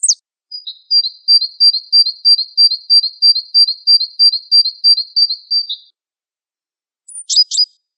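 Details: Masteran of a Java sparrow, locally Gelatik Wingko: a long, even train of high whistled double notes with faint higher ticks, then silence and a quick burst of falling chirps.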